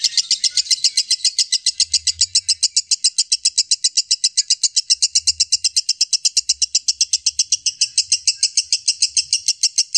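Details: Ten seconds of continuous lovebird chatter used as tutor sound for murai batu, kacer and lovebirds: very rapid, shrill, rasping notes in a relentless even stream.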